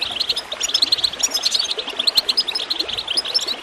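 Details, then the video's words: High, sparkling goldfinch chirps stream continuously over faint gurgling water in this recording made to encourage birds to sing, the rapid notes jumbled and twittery. "Water gurgling with goldfinch chirping to encourage birds to song"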